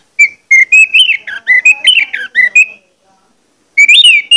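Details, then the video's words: Loud, persistent lure song of an orange-headed thrush, used to rouse other orange-headed thrushes to sing: a fast run of warbled, slurred whistles that rise and fall, a pause, then a brighter rising phrase. "pancingan anis merah plong ngotot membangkitkan gairah anis merah lain untuk bunyi"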